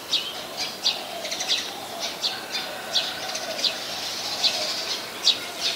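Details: Brown-throated sunbird calling in Ubon Ratchathani, Thailand, on 13 January 2021, filmed with a Nikon P1000: rapid, high, sharp chips repeated several times a second in bursts, with a faint lower hum beneath.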